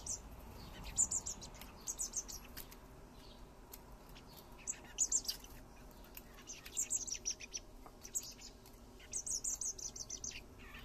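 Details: Three common blackbird fledglings calling as their father feeds them: bursts of very high, rapid, hissing chirps come in clusters about every one to two seconds over low background noise.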